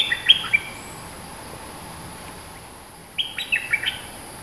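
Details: Streak-eared bulbul, a fierce dominant local bird, singing: two bursts of quick, bright chirping notes that jump up and down, the second burst about three seconds after the first. A steady high insect hiss runs underneath.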